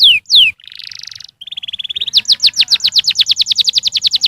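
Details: Canary song for stimulating young canaries: two downslurred whistles, a buzzy rasp, a flat trill, then a rapid rolling trill of repeated notes.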